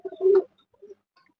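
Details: A domestic desi pigeon calling in its loft gives a low, throaty coo that swells then fades, followed by a softer second note.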